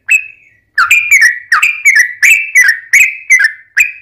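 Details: Sooty-headed bulbul song used to lure other bulbuls into calling: one lone whistled note, a short gap, then a lively run of clear, level-topped whistles at roughly three per second.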